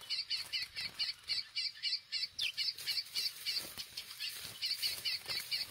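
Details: Chestnut-bellied seed finch in a singing competition, delivering a fast run of sharp, high repeated notes, around four a second, with one brief break mid-series; steady hiss and light clatter behind.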